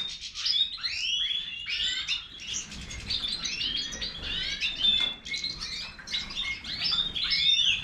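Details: Major goldfinch singing an energetic string of sweeping slurred chirps and high twitters, delivered in quick bursts with brief gaps.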